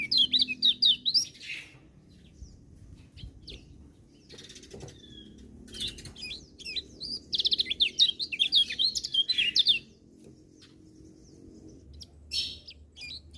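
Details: Lemon-bellied white-eye in energetic song that is said to draw in other birds; repeated bouts of fast, high, wavering twitters separated by near-silent pauses, with scattered sharp chirps.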